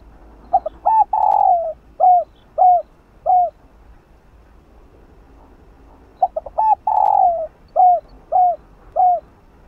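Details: Lure recording of a spotted dove cooing in the 'chiêu 3 hậu' style to get a caged dove to coo: two matching phrases of rapid stuttered notes, a drawn-out coo and three evenly spaced, falling short coos.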